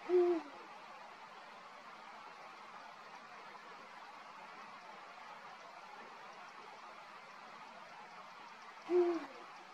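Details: Deep hoots from a singing male Eurasian eagle-owl, one at the start and another roughly nine seconds later, each short and low with a falling finish; faint hiss between.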